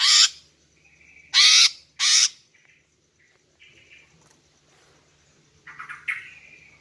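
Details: Greater green leafbird female giving calls meant to attract males: three loud rasping bursts in quick succession, then softer short whistles and a brief chattering phrase near the end.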